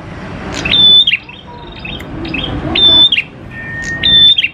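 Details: Prenjak klawu prinia lure song: three level high whistles with drooping ends, about 1.7 seconds apart, separated by quiet chips and a low steady tone.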